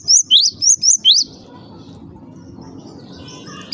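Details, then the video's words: Java sparrow calls said to set other Java sparrows calling: five loud, high chirps with sharply rising and falling notes in the first second, then a quiet background. "cukup DENGARKAN SUARA INI, gelatik lain LANGSUNG RIBUT"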